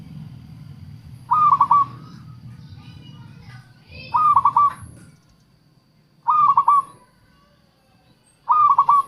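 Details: Local zebra dove singing, used as a lure for wild doves: four short bursts of three or four quick, bright cooing notes, spaced about two seconds apart, with a soft low rumble early on.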